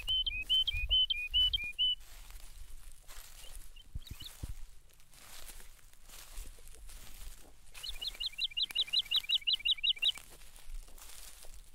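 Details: Woodlark singing in the background at Krasny Bor, Belarus, on 18 March 2015, near a newly released bison herd: a short phrase of looping whistled notes, then after a pause a fast series of about a dozen repeated, slightly descending whistles.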